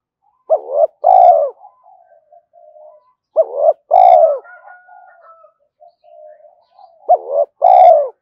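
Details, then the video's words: Spotted dove calling continuously to lure wild doves in: three clear phrases, each a quick two-part rising note then a long, level, slightly falling coo, roughly every three seconds, soft murmured notes between. "tiếng cu gáy thúc hay rút bổi, gáy gọi liên tục dục chim bổi về nhanh"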